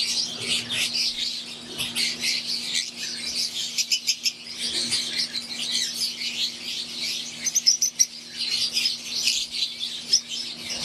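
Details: Aviary flock of pure wild-type green Fischer's lovebirds and Euwing lovebirds keeping up a constant high chatter of thin, scratchy chirps, some louder clipped notes breaking through, a steady low hum underneath.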